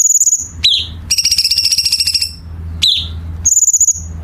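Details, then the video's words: Chinese bulbul master song for contest birds, rich in sharp harsh fill notes. Fine high trills and falling chirps frame a long, raspy, pulsing buzz, closing with another thin, quivering high whistle. "Masteran Cucak Cungkok Istimewa ~Isian Kasaran Tajam Rapat ~Tembakan Istimewa Masteran Burung Lomba"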